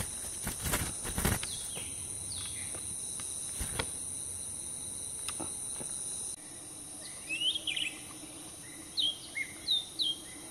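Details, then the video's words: Roadside cucak ranting (grey-bellied bulbul) near a trapping cage in Pakpak Bharat, Sumatra: loud clicks and knocks at first, then a burst of quick, sharp chirps in short clusters, with constant shrill insect noise behind. "Mikat cucak ranting pake kandang"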